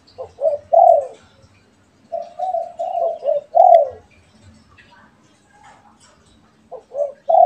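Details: Pet and wild spotted doves answer each other with soft repeated coos, short notes followed by a longer mellow phrase, falling quiet midway before another pair of short coos begins.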